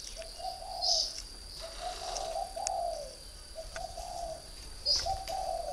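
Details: Low, rolling coo phrases from a caged spotted dove, a three-year decoy bird from northern Vietnam, repeated in close series, with two sharp high chirps and a steady high-pitched hum in the background.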